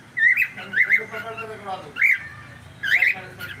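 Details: Pet cockatiel on a live stream repeating loud, upswept squawking whistles about once a second, separated by brief pauses, with faint talking and room noise underneath.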